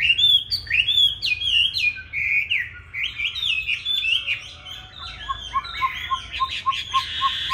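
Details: Fighting song by a 'Lục Đậu Thanh' Chinese hwamei, used to tutor other hwamei toward smooth singing: fast, varied whistled warbling, later joined by a row of quick lower repeated pips.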